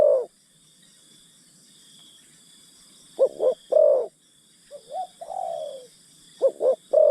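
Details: Decoy spotted dove calling to coax wild doves from the forest: paired short coos and a longer hollow note, then a lower drawn-out falling coo, under a constant high-pitched insect drone.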